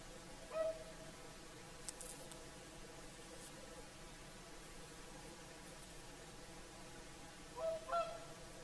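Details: Whooper swans at Lake Saimaa, Finland, calling at sunset: one brassy honk early on, then a quick double honk about seven seconds later, with a faint click in between against a soft, constant background.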